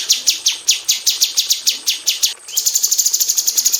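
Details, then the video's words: Female bulbul in an aviary, kept as a song tutor for magpie robins, delivering tight rapid-fire high notes in a fast even series of sharp descending strokes, about four per second, then a quicker, higher trill. "KICAU SUARA BURUNG CUCAK CUNGKOK BETINA TEMBAKAN RAPAT"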